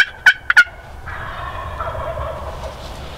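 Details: Wild Turkey gobbler, a male, heard during a spring snow storm on a morning turkey hunt: three sharp, loud clipped notes open, then a softer rolling, warbling gobble runs for about two seconds against a quiet background.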